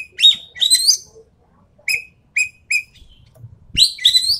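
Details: Full 'tembakan' rapid-fire song of a Javan pied starling: grating buzzy phrases open and close the bout, with three short clear whistles repeated in between.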